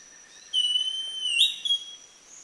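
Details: A Northern Schiffornis at Chan Chich Lodge, Belize, in April 2015 gives a clear, pure whistle held almost level for about a second, then slurring upward, followed by a brief second note.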